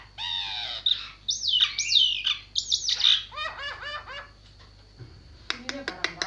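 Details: Javan myna with a jumble of clear whistled, looping phrases and squeaky slurs, then a short series of rising notes, a low thud, and sharp ticking clicks at the end; a faint high whine persists.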